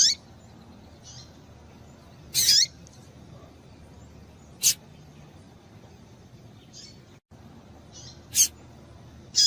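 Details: Calls of a female double-collared seedeater, meant to stimulate a male to sing: scattered high thin chips and sharp clicks, one note longer and buzzier, with quiet gaps between them.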